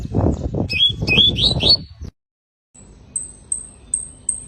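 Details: Canary giving a quick series of four rising, upslurred chirps over low thumping and rustling noise, then a short silence and a run of thin, very high whistled notes repeated about every half second.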